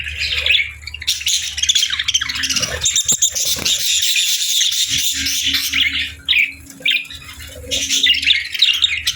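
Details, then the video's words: Parakeets on a winter morning, eating warm meals, chirp in a busy, overlapping chatter of high, buzzy twitters and squeaks. The chatter runs almost without pause, with a steady low hum beneath it. "Warm Meals for Parakeets 🦜🍽️ | Winter Morning Fun and Chirping Sounds"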